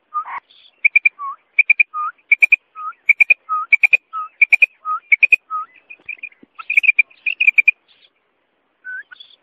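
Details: Female common quail calling, used by hunters: crisp triplets of short high notes repeated about every second, each group followed by a lower slurred whistle, with one buzzy note near the start and a fainter whistle near the end.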